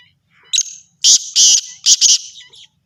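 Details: Black francolin, called kala tetar, described as the Sindhi breed. It gives a harsh, rasping call of about five loud grating notes in under two seconds: a short opening note, then two longer buzzy bursts and a quick double note.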